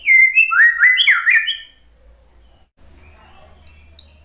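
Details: Murai batu (white-rumped shama) song used to coax a stressed, silent bird into singing: a quick sequence of ringing whistled slurs, up and down, followed by quiet and a faint high note later.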